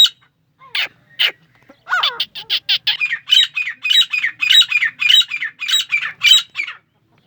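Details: Grey francolin in Pakistan giving a loud, harsh, repeated series of squeaky notes that speeds into a rapid rhythmic chant of about a dozen phrases.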